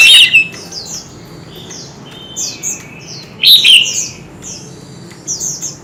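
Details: Oriental magpie-robin in a singing duel with many voices. A short loud whistle starts, then soft high sweeping notes. A second loud burst comes midway and a faint phrase closes.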